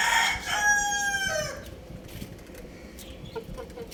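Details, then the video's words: A young rooster crowing from a roof: one loud, drawn-out crow with a harmonic-rich, slightly falling tone lasting about a second and a half, followed by soft clucks and low background noise. "Adorable Little Rooster Playing On Roof | Amazing Cute Chicks Chirping Sounds"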